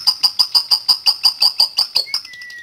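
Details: Lovebird giving a long chattering song used as a lure to set other lovebirds singing: quick, evenly repeated bright ticking notes, about six a second, ending in a thin, steady falling whistle.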